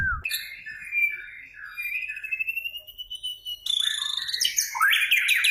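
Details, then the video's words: Caged white-rumped shama in full song: long varied phrases of rich whistles gliding and rising, then a rapid burst of sharp chirps and trills with quick note changes near the end. "pancingan murai batu gacor"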